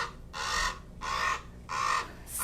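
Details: Moki, a captive, human-habituated common raven kept as an animal ambassador, gives four harsh, hoarse, low gurgling croaks in quick succession, one about every 0.7 seconds; nothing else is heard.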